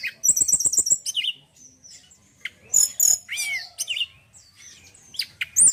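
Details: Male White-browed Shortwing starts with a rapid rhythmic trill of about eight pulses, then gives scattered chips, downslurred whistles and sharp high notes with gaps between.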